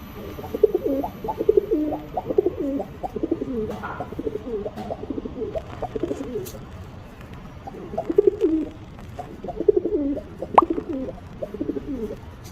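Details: Pigeon cooing in low, throaty, rolling phrases that come in bursts a few seconds long, with short pauses between them, in a quiet, enclosed-sounding space.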